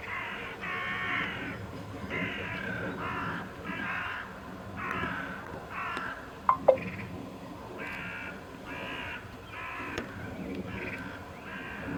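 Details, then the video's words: Migrating cranes heading north give loud, rolling, trumpet-like calls in an irregular series of half-second bursts with short gaps. Two sharp clicks come partway through, and a soft low hum runs underneath. "Cranes are returning north - Žerjavi se vračajo na sever"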